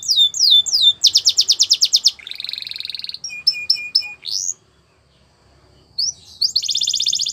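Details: Training song for young canaries, with rapid repeated downward-sweeping notes, a buzzy rattling trill and repeated whistles. A pause follows, then rising notes and another dense buzzy trill.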